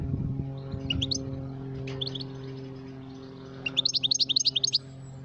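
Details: Goldfinch calling: short bursts of high, bright twittering chirps near one second and two seconds, then a fast run of rapid repeated notes toward the end, over a steady low hum.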